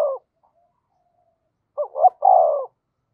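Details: Decoy spotted dove cooing to provoke wild doves, 'thổ sấm' voice: the tail of one coo, a pause, then a full phrase of two short rising notes and a sustained falling coo.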